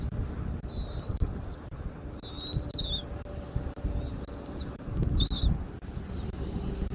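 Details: At a nest in Southwest Florida, captured by nest camera on 13 January 2024, 14:17, an eagle gives several scattered high, thin whistled notes, some short and clipped, over low wind rumble.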